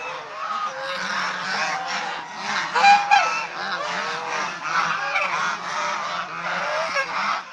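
Domestic swan geese give a busy chorus of harsh, nasal honks, overlapping several times a second with no settled rhythm.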